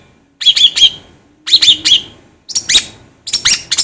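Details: Long-tailed shrike calling to stir up other shrikes: four short clusters of rasping, chattering notes, each of three or four harsh syllables, separated by brief pauses.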